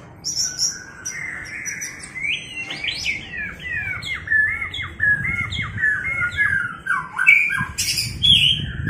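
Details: Female white-rumped shama voice meant to fire up males for fighting: a softer, rambling series of short slurred whistles and chirps, about one per second, with occasional high hissing bursts.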